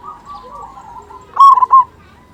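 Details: Local zebra dove song, played as a lure for silent doves: soft, wavering coos open, then one short, loud, bubbling phrase of two strong notes.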